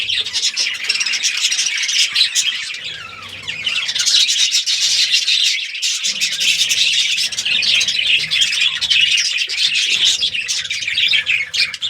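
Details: Colourful budgerigars in a colony breeding setup squawk and chirp nonstop, a thick chorus of high, scratchy calls from many birds.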